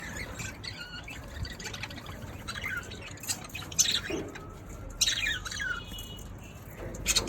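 Young budgerigars give harsh, raspy squawks in short bursts against a faint hiss.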